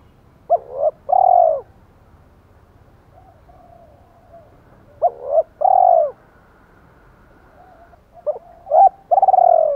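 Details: Spotted dove calling hens in the 'giọng đồng pha' style: three phrases several seconds apart, each made of quick short notes leading into a long, rich coo. Faint low-pitched background hum between the phrases.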